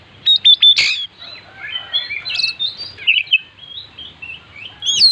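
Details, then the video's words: Oriental magpie-robin, described as chatty and full of imitated fill-ins for luring other birds: a few ringing whistled notes and a sharp burst, then a rambling stream of twittering, slurred high phrases ending in a loud upward whistle. "burung Kacer gacor full isian"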